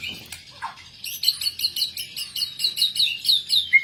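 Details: Fighter-type murai batu singing full isian: after a few opening chirps, a rapid, regular series of high ringing double notes repeated about four times a second, ending on a clear whistle.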